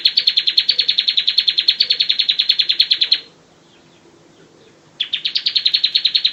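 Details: Bar-winged prinia song for training birds: a rapid, even run of high chirps lasting about three seconds, a short silence, then the same fast chirping starts again.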